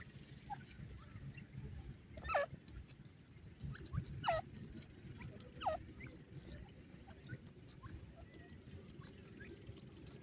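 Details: Grey francolin chicks, about ten days old, feeding in grass give three clear downward-sweeping peeps roughly two seconds apart, plus faint chirps, over continuous low rumble.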